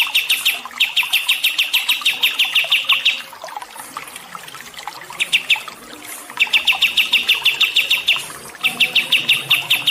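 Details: Songbird chirps offered as training and water therapy for stressed birds. Fast strings of bright, high chips, several a second, come in bursts of a few seconds split by quieter gaps with soft trickling water.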